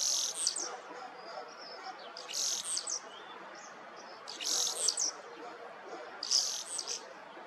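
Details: Common starling voice early in the morning, 21 April 2023; brief high, buzzy, crackling phrases repeated about every two seconds, with faint distant chatter and background noise between.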